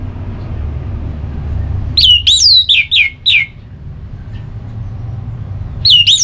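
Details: Orange-headed thrush singing in ngeplong style, played to rouse another bird into song: a burst of four loud, slurred whistles sweeping down from high to mid pitch, a quiet pause, then another looping whistle, over a low background hum.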